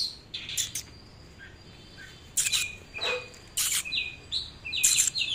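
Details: Oriental magpie-robin singing as it displays: scattered, varied whistles and harsher rasping notes, with abrupt loud bursts and short pauses between phrases.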